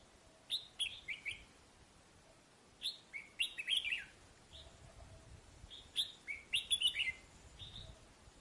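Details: Caged red-whiskered bulbul used as a decoy bird, nearly finished moulting, in northern Vietnam, giving short bright warbled phrases of a few whistled notes, repeated about every three seconds, over soft background hiss.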